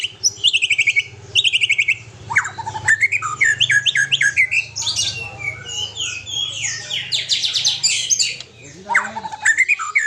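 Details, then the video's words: White-rumped shama from Aceh delivering dense, loud song with sharp trilled bursts, rattling scratchy phrases and quick whistled notes in close succession, over a low hum. "Murai Aceh"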